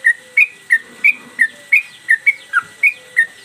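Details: Yellow-vented bulbul (trucukan) in full song, swinging its tail, suited as a master for training cage birds: short sharp whistled notes repeated about three times a second in a steady rhythm, over a faint constant tone.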